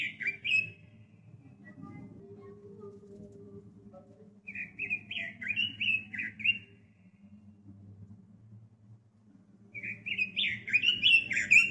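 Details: Red-billed leiothrix, the hobbyist's Pekin robin, gives short bursts of rich, rapid warbling, with a brief phrase at the start, another mid-way and a louder, busier phrase at the end, separated by quiet gaps with low background hum.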